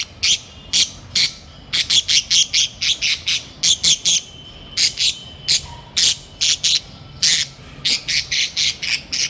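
Budgerigars give loud, harsh, squawking calls in quick bursts, a few per second.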